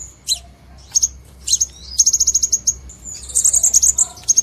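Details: Lure call for trapping Crimson sunbirds: thin high chips, then a quick series of evenly spaced ticking notes and a rapid high trill near the end.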